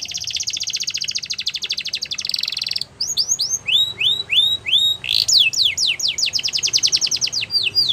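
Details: Canary singing to prompt other canaries to sing along: a long fast buzzy trill of rapid notes, a short break, then repeated upswept whistled syllables and a run of steep descending sweeps; quiet background.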